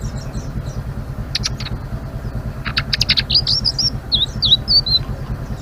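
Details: Blue-winged leafbird singing actively, with a few sharp clicks and then a rising string of high slurred whistled notes about three per second, over a constant low motor hum.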